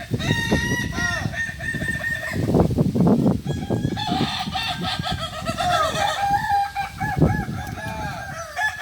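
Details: Kukuak Balenggek roosters at a group training session in Ampang Kualo, Solok city, crowing in overlapping, harmonic, stepped phrases with a low rumble and background bustle throughout.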